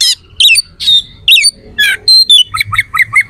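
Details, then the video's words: Oriental magpie-robin singing harsh, piercing phrases meant to agitate rival magpie-robins: loud raspy squawks and whistled notes, ending in a quick run of short chirps. "PANCINGAN KACER AUTO CEPAT RESPON/KACER JADI EMOSI SIAP TARUNG"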